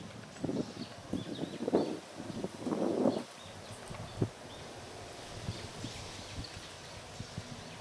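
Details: A Japanese pygmy woodpecker excavates a new nest hole in a willow at Katsurazaka, Kyoto, on 18 March 2021, with a second bird nearby; irregular bursts of dull knocks, a single sharp tap, then faint scattered pecks.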